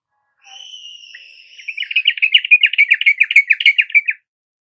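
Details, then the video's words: Yellow-vented bulbul song played as a lure to get a reluctant caged bird to sing: a long thin level whistle, then a fast bubbling run of chirpy notes, about three or four a second, for roughly two seconds. "Pancingan TRUCUKAN MALES KICAU dan MACET TOTAL Agar nyaut GACOR"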